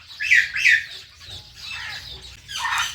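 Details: Domestic Indian ringneck parrots, a pair including a blue bird, produce two loud harsh squawks in quick succession, a softer raspy call, then another burst of squawking.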